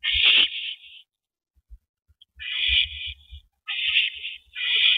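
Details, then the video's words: At an owl nest on an April 2012 evening, a mate receives a delivered rabbit. Three long, breathy screeches are separated by a quiet gap of over a second. Faint scuffling knocks accompany them. "Rabbit Delivery #251!"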